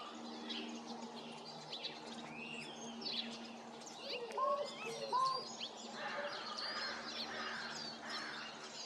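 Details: American crow giving an unusual soft two-part "coo-honk" call, recorded 28 February 2026; a pair of low hooked notes around the fourth and fifth seconds amid a busy chorus of other chirping birds.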